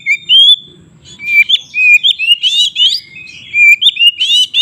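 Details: White-rumped shama singing loud, varied whistled song used to provoke other shamas into fighting: clear rising and falling whistles, rapid slurred phrases and sharp chirps in quick succession, with a faint low rumble underneath.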